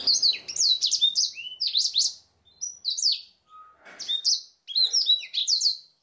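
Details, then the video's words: A black-throated canary sings a fast, high, continuous song of sweeping chirps and bright trills, used as a training song, broken by short pauses and one low pure whistle. "BLACKTHROAT GACOR SUARA JERNIH"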